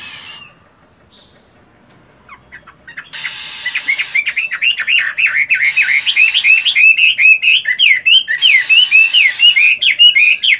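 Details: Chinese hwamei, a moulting cage bird, in morning voice practice: after soft scattered notes, a long fast torrent of varied whistled slurs and chirps rolls on steadily with brief hissing bursts between phrases.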